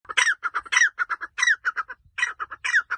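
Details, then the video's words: A partridge in a forest gives a rhythmic run of harsh, chuckling clucks, a louder slurred note breaking in roughly every half second, with no other sounds. "The partridge makes a melodious sound"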